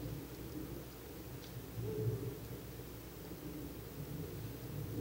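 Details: Quiet low rumble and soft hiss at night, swelling slightly midway, with no animal calls.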